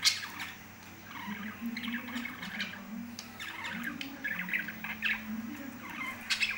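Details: Pet lovebirds keep up a busy mix of sharp squawks and high twittering chirps, in short irregular bursts, over a low steady hum.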